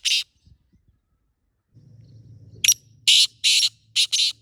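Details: A black francolin (Francolinus francolinus) in the wild in Pakistan gives a burst of harsh, grating, squawky notes, four in quick succession near the end, over a low droning hum.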